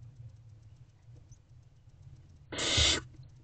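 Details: After a quiet stretch, a hungry barn owl owlet in an evening nest box lets out a half-second noisy hiss while waiting for its mother; low hum throughout.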